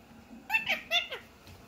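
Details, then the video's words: A 6-month-old talking Indian ringneck parakeet speaks three or four quick, high, nasal word-like syllables in under a second, with a falling final note, in an otherwise quiet room. "talking Parrot"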